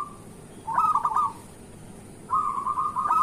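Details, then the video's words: A local zebra dove, singing actively and used to lure other doves in the morning, gives a short choppy rolled phrase and then, after about a second of quiet, a longer even trill of rapid coo notes. "Perkutut lokal gacor pancingan untuk pagi hari"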